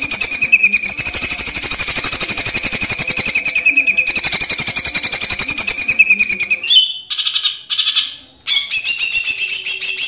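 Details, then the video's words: Greater green leafbird tutor song filled with 'tembakan' bursts liked by contest judges: a long intense rapid-fire trill with shrill ringing overtones, then short choppy buzzy bursts and a renewed high pulsing phrase. "Masteran Cucak Ijo Full Isian Tembakan Kesukaan Juri"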